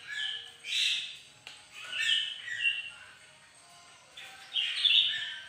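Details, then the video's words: A bird-of-paradise sings in the morning sunshine in short, high, squeaky phrases broken by brief pauses, with a faint hum underneath. "bagus si burung surga lagi gacor"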